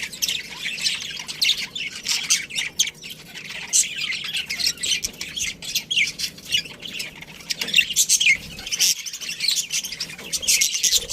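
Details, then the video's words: Budgies of a breeding colony chattering steadily, many overlapping high chirps and squawks in fast uneven bursts over a long stretch. "Cute Budgies Chirping Sounds"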